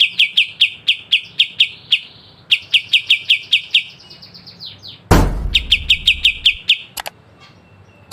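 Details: Kapas tembak (pied triller) giving its sharp 'besetan' song for songbird training: brisk rows of clear, high repeated notes in several phrases, with a loud low thump midway and a few clicks near the end.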